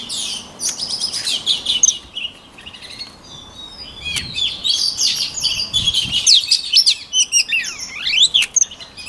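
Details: Song of a white-rumped shama, recorded for voice training: bursts of fast chattering notes, a quieter pause with a brief click, then a lively run of sharp, sweeping whistles and twitters.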